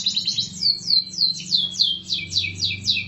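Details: Canary song made of clear, high, downward-sweeping whistled notes repeated in a steady rhythm of roughly four per second, with a soft low hum in the background.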